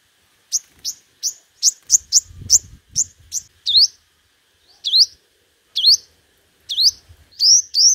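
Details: Five-coloured sunbird singing competitively, used as a lure: a series of sharp, high, upslurred notes, rapid at first and then spaced about a second apart, with faint low thumps underneath.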